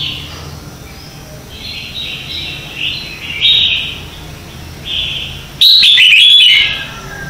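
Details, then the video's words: Red-whiskered bulbul singing its morning competition song, used as a lure to train and stir other bulbuls: several soft warbling phrases build up, then a loud, clear whistled burst arrives near the end. "Luyện Chào Mào hót sáng hay nhất - To - Rõ - Vang | luyện giọng chào mào mới nhất 2019"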